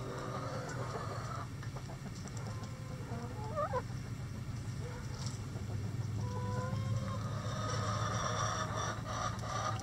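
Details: Coop chickens on a sunny day calling with brief wavering notes and a couple of level, held tones, mixed with scratching and rustling over a constant low background hum.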